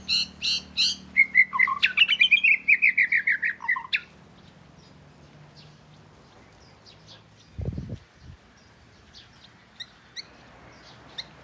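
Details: Oriental magpie-robin from southern Thailand, the first kept at home, delivering four seconds of rich, rapid warbling with buzzy high notes and sliding whistles, followed by near silence broken by a low thump and faint distant chirps.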